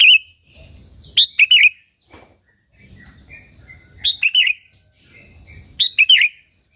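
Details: Sooty-headed bulbul song used to provoke and lure other bulbuls: short bright phrases of quick chirpy notes with a wavering, dropping end, repeated about every two and a half seconds, with a faint higher whistle and soft low rumble between.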